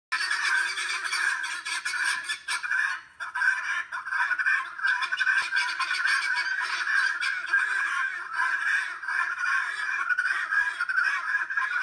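A flock of guineafowl keeps up a loud, harsh, grating chatter of overlapping rapid calls.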